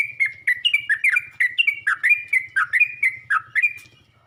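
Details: A yellow-vented bulbul calls out to attract other bulbuls, giving a quick run of liquid, warbling chirps that bend up and down, repeated roughly three to four times a second before fading at the end.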